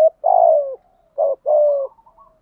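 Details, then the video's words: Spotted dove thúc gù cooing, used to train decoy doves: a long, vibrating, downward-sliding coo, a short clipped note, then a second drawn-out falling coo, all low and mellow. "tieng chim cu gáy THÚC GÙ"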